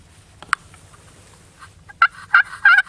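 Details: Osceola wild turkey (Meleagris gallopavo osceola) gobbler in the Florida swamps on public land, on the first morning of a 2010 hunt. It gives three rapid rattling gobbles in quick succession after a single sharp click, at a distance.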